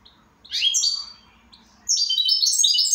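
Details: Two loud bursts of fast, tinkling goldfinch song, each a cascade of high, slightly descending twittered notes, separated by a short near-silent pause.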